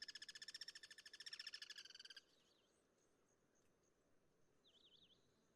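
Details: Wild guira cuckoo (pirincho) in cross-singing: a fast, harsh pulsed rattle for about two seconds, then quiet with a few thin wavering whistles from another bird.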